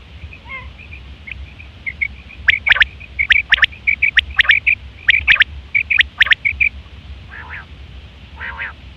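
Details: Common quail calling in September 2023, a call used for mating and by hunters; sharp, clipped notes grouped in quick bursts around the middle, with a few rough, buzzy grating calls near the start and end.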